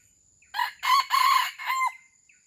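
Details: Aceh red junglefowl serving as a pemikat decoy to attract wild birds delivers a single crisp crow in four segments, loud and harsh, the final part tailing downward, then quiet.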